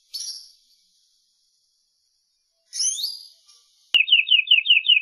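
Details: Common linnet song: two short sweeping whistled phrases separated by silence, then a sharp click followed by a rolling, wavering trill of about seven repeated notes.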